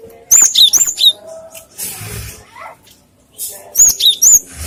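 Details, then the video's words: Cinereous tit, known locally as gelatik batu, giving high, sharp whistled notes in two quick bursts of about four notes each, separated by a pause, with faint background noise. "Suara gelatik batu untuk pancingan & masteran"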